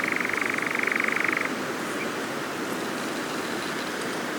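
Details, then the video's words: A European nightjar churrs at dusk at Cefn Ddu forestry, Wales, on 31 July, recorded by an overnight drop rig: a fast, even, mechanical trill of about a second and a half, then breaks off, leaving steady hiss. "Nightjars churring at dusk"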